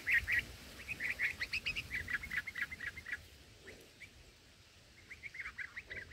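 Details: Baby black-headed bulbuls at their nest during a feeding visit, filmed by an unattended fixed camera: a dense run of sharp chirps at first, then a brief lull, then scattered chirps resume amid steady background hiss.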